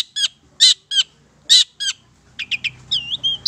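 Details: Long-tailed Shrike of the Madura type singing for bird training: loud rasping double notes spaced apart, followed by quieter rapid chips and a drawn-out, wavering whistle.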